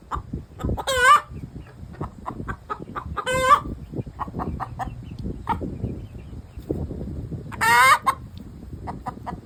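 An Easter Egger hen gives loud, harsh drawn-out squawks mixed with rapid clucking, the cackle after laying, over a busy background of softer clucks and a woman's laughter.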